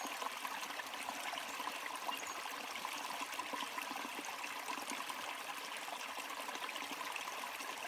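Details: A forest stream in the Cathedral Ranges trickles and gurgles steadily, with an even rushing hiss and no animal calls.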